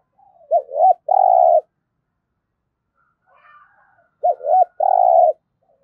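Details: Spotted dove kept as a decoy to lure wild doves, giving its 'thúc gù' coo: a short sequence of looping notes, then a long buzzy drawn-out coo, repeated after a pause of about three seconds. The background is quiet.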